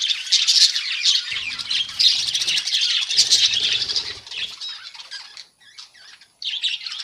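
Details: Colony of budgerigars in a breeding setup instead of cages, many birds chattering at once in a dense, shrill stream of rapid chirps and squawks, fading briefly near the end before the noisy chorus resumes.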